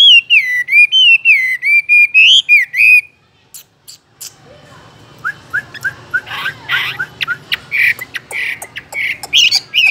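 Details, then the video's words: Chinese hwamei kept in a cage, pouring out loud, ringing whistled notes repeated in quick succession, then a brief silence before softer, scattered chirps and varied sharp notes resume. "chú họa mi hót như này"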